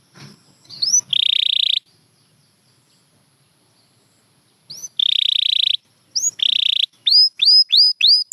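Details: Champion canary song meant for training pet birds to sing: two long buzzy trills and a short one, separated by a few seconds of silence, then a run of quick rising whistled upslurs repeated about every third of a second.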